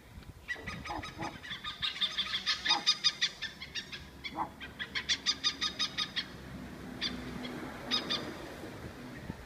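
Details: Oriental pied hornbills in Sennett Estate, Singapore: a long run of harsh, honking cackles, fast and rhythmic, rising to a loud chattering burst, then a few scattered notes over steady background hiss.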